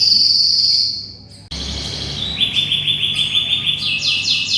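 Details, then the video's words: Lively canary song, recorded as a tutor for training white-rumped shamas. A high note at first fades to a pause, then long rolling buzzy trills run steadily at a mid-high pitch, stepping up into faster, higher trills near the end. "SUARA BURUNG KENARI GACOR"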